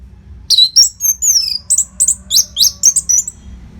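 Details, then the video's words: Kept orange-headed thrush from Singaraja, Bali, used to keep contest birds fit: a rapid sequence of high, sweeping whistled notes and sharp chips, roughly four per second, each note bright and descending; faint background hum. "SUARA MASTERAN ANIS MERAH GACOR RAPET NO JEDA INI UNTUK MELATIH FIGTHER BURUNG AGAR SELALU FIT"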